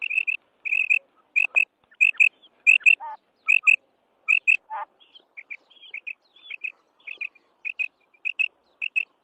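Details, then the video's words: A female quail repeats sharp high double chirps at a steady pace, roughly one pair every half second, with two brief lower buzzy notes in between. "مادی بٹیر کی 7 منٹ والی آواز / Female Batair Sound"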